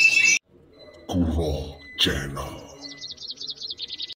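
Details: An Oriental white-eye singing at a songbird contest sings a rapid run of thin, high, chattering notes. It opens with a sharp burst, and people's voices break in briefly.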